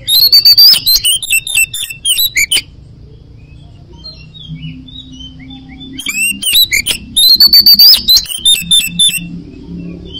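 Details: Oriental magpie-robin in full 'ngoceh gacor' song: long loud bursts of rapid, sharp chattering and rising ringing notes, a quieter middle stretch of soft scattered whistles, then another vigorous burst.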